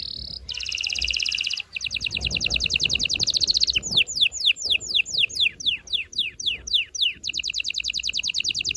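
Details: Powerful canary song that stimulates the male and excites the female for mating: a high whistle, long rapid trills, a run of slower descending sweeps, and a final quick trill.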